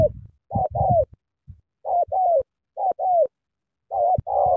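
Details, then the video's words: Spotted dove in Cà Mau, Vietnam, cooing hard in sắm thổ style: four paired phrases of a short coo followed by a longer falling coo, spaced by brief pauses, with light knocking sounds. "Sắm thổ quá hăng hàng gù tuyệt vời"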